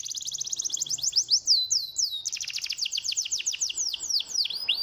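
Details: Canary song for encouraging idle canaries: continuous rapid cascade of high downward-sweeping notes, nearly four per second at times, shifting into a denser rolling trill.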